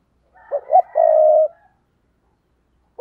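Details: Luring call of a spotted dove meant to attract wild birds: two short rising notes, then one drawn-out, steady, low coo ending abruptly.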